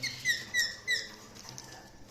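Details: Budgies chirping: three short, bright, rising chirps with ringing overtones, spaced about a third of a second apart, followed by a quieter stretch of faint rustling.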